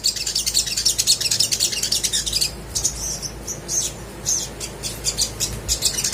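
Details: Crimson sunbird in lively song played to get lazy birds singing. Dense, high twittering runs for about two seconds, then breaks into separate shrill chips and short trills.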